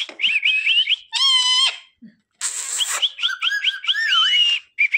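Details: A pet parrot mimicking words in Hindi such as "mummy mithu ko roti do", "mummy papa" and "sita ram"; harsh squawky syllables alternate with clear whistled, tonal imitations of speech, with short pauses between phrases.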